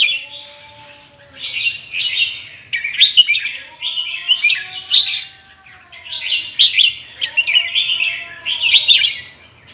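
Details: Red-whiskered bulbul of Indonesian stock with large red patch, singing in short bright chattering phrases every couple of seconds, while a lower sliding whistle runs beneath some phrases.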